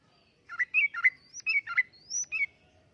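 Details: Sooty-headed bulbul song intended as lure and tutor material for caged birds: soft, whistled and gurgling notes in small groups, with a few thin high slurred whistles between them.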